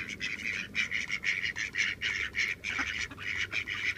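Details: Two male mallards (or possibly hybrid ducks) squabbling: harsh, raspy quacking notes in an uneven run of about three per second, with no pause.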